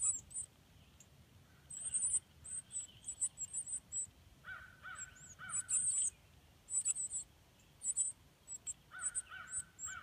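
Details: Baby northern cardinals in their nest while the parents bring food: high, thin peeping calls in scattered clusters over ten seconds, mixed with short, lower chirps now and then against a quiet background.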